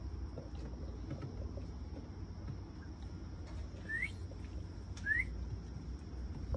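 Mountain quail giving two short, rising whistled notes about a second apart, over a steady low rumble and a thin, constant high hum.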